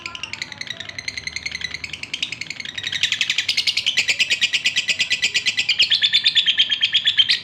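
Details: Male lovebird in breeding condition calling a female, pouring out dense, rapid twittering chatter that builds into a continuous buzzy stream of fast chirps, ending in a drawn-out high note.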